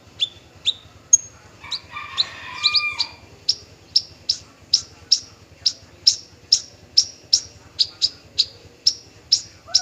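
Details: Singing male bushlark, form parva: a steady run of bright, high, clipped notes repeated about every half second after a brief lower jumbled warble, over a faint regular low hum.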